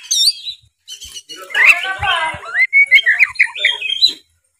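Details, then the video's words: Oriental magpie-robin in 'gacor full narung' challenge song aimed at rival males: wavering high whistles, a chattering scratchy stretch, then clear slurred whistled notes repeated in a quick string. "suara kacer gacor full narung"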